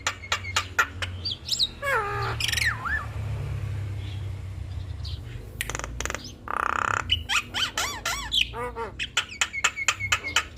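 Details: Javan myna in a lively tutor recording meant for other mynas to copy, a full song packed with varied filler phrases: sharp clicks, rising and falling harsh notes, and buzzy bursts, with a low background hum.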